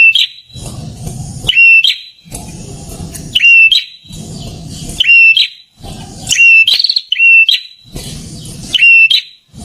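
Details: Prinia singing loudly close by: repeated phrases, each a harsh buzzy rasping burst with low rumbling undertones, then a clear whistled note held at steady pitch with slight wavering. About six phrases in ten seconds, at uneven intervals.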